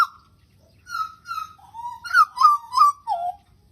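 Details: Pied butcherbird song of clear, mellow, flute-like whistles, roughly eight notes in an unhurried phrase that steps up and down in pitch, the last notes slurring lower.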